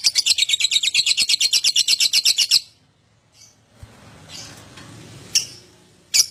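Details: Lovebird ngekek used to coax other lovebirds into song: a fast run of loud, buzzy, high pulses for about two and a half seconds, then background noise and a few isolated sharp chips.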